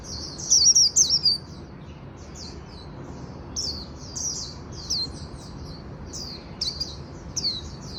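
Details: Afternoon song of a Japanese white-eye, opening with a loud run of rapid, high, tumbling notes, then scattered thin downslurred chirps roughly every half second to the end, over quiet background noise.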